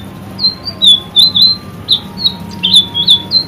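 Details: Vigorous white-rumped shama song for training caged birds: loud, separate high whistled bursts, some with sharp upward flicks, about three per second, over a faint steady tone and low hum.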